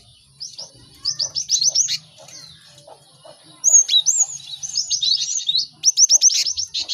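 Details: Lively cinereous tit song used as a training recording so birds learn to sing quickly: bursts of rapid, high, slurred chevron notes in fast trills, separated by short pauses, over faint low hum.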